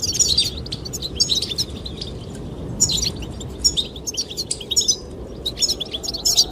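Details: Goldfinch; song; attracting a female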